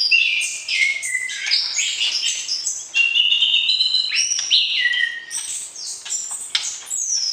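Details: Shama song played to trigger mating readiness before breeding: bright, jumbled whistles and trills packed tightly together, steady in loudness, with piercing high notes and sliding phrases throughout.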